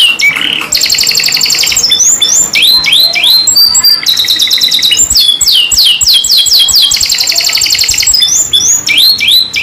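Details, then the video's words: Singing canary, kenari gacor style with rolls and shots: dense rattling trills switch to runs of clear upward-curving whistles, then back to fast rolled buzzing, continuous and loud throughout. "KENARI GACOR NGEROL NEMBAK | CANARY SINGING"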